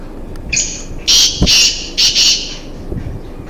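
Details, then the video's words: Black francolin pair roaming freely in a forest: four loud, harsh, grating bursts in quick succession after a short rasping opening note, with a quiet rural background. "Black francolin voice"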